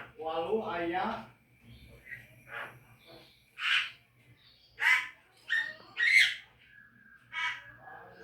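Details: Javan myna song for training caged birds to sing: a gurgling low rasp, then spaced loud squawks and a sharp whistled note roughly every second, over a faint low hum.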